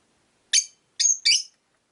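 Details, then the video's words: Pet Rosy-faced lovebird, one of five in a window-side cage, giving three harsh, high chirps in quick succession, the last two nearly run together. "Lovebird Chirping Sounds"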